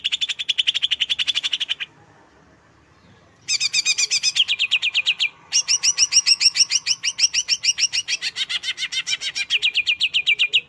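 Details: Cucak hijau, the Greater green leafbird, sings in fast bursts of rapid, shrill repeated chirps. Two loud phrases are broken by a pause of about one and a half seconds, then a near-continuous rattling series follows.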